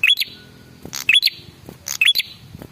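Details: Male red-headed prinia lure call, used to make other birds answer; sharp high chirps with quick upward-flicking notes and dry clicky bursts, in three bursts roughly a second apart.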